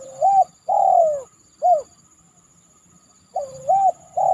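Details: After a heavy downpour, a spotted dove repeats its mellow cooing phrase twice, two short hollow notes then a longer falling coo, separated by a quiet gap, with a constant faint high-pitched whine behind.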